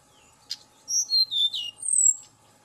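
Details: Tledekan gunung lure song: a short buzzy burst, then a run of high whistled notes sliding downward, ending in a long rising-falling whistle, over a steady low hum.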